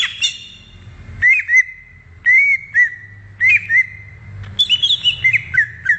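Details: ['Wild greater green leafbird delivering loud whistled phrases: short curled notes and a long level whistle, pausing, then a faster burst of higher twisting notes, with low background hum.']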